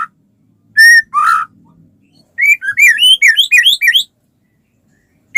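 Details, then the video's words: Song of a white-rumped shama, meant as a lure for other shamas: a pure whistle and a rough note, a pause, then a lively string of looping, bouncing whistles. "suara burung murai batu gacor sangat cocok buat pancingan murai batu agar cepat bunyi ikut gacor"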